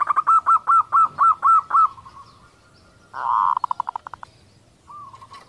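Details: Female zebra dove giving a kerot call meant to bring males into breeding condition: about eight quick, even, ringing notes at four per second, then a pause, a brief buzzy burst trailing into short clipped notes, and one slurred note.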